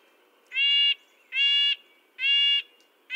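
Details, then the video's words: Red-breasted nuthatch repeating its high, nasal tin-trumpet call about once a second. Three full calls are heard, and a fourth begins at the end. "Red-breasted nuthatch sounds, Sounds of the Canadian Nuthatch"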